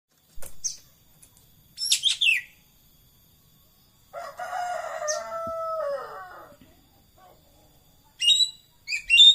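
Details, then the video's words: Racket-tailed treepie (ekek keling) calling: brief sharp chirps, a harsh descending burst, then a long nasal two-toned drawn-out note with harmonics, followed by quick high squeaky notes near the end. "tembakkan suara burung ekek Keling"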